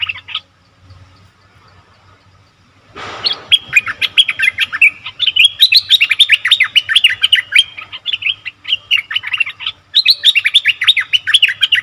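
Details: Bulbul recorded for luring wild birds: after a brief rustle, a long fast stream of bright, bubbling chirps, rising and falling notes repeated several per second, pausing briefly near the end before resuming.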